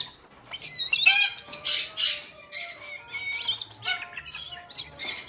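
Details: Sibling lesser sulphur-crested cockatoo chicks, around four months old, calling while hand-fed: repeated grating squawks and wheezy shrieks in uneven bursts, mixed with thin whistled upslurs.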